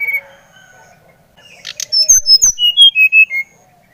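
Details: Brown-chested jungle flycatcher of the Bali type singing energetically to provoke another bird to sing; a short run of sharp whistled notes falling in steps, preceded by a faint low whistle and a couple of knocks.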